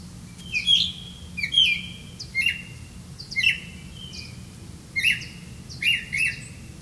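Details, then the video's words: At the nest while caring for young, a Black-bellied malkoha repeats short squeaky calls, some doubled, roughly once a second, each a bright note dropping slightly in pitch, over quiet background hiss. "Black-bellied malkoha Birds, Caring for young babies in the nest"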